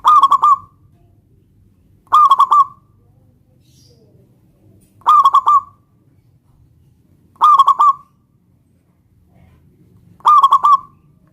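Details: Local zebra dove singing to call a rival and make it answer: short staccato cooing phrases of three or four clipped notes ending in a gliding trill, repeated about every two to three seconds with faint background hum.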